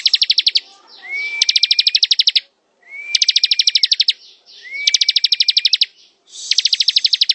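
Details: Bar-winged prinia singing ngebren: four rattling bursts of fast, sharp high notes, roughly every one and a half seconds, three of them preceded by a rising then level drawn-out whistle.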